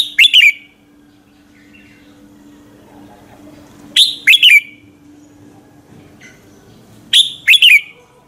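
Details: Red-whiskered bulbul singing its fiery morning fighting song, used to train and excite other bulbuls: three emphatic phrases of rapid, descending whistled notes spaced about three to four seconds apart, with quiet pauses between.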